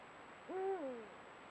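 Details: A Eurasian eagle-owl of a pair, caught by a camera trap at golden dusk, gives one deep, mellow hoot that swells, holds steady, then slides lower and fades, with only a faint hiss behind it.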